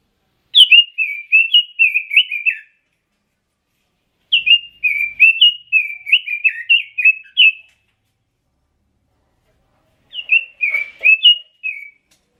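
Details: Red-billed leiothrix, the Pekin robin, repeating rich warbled song phrases of rapid whistled notes, three phrases spaced about four seconds apart, recorded cleanly without background noise.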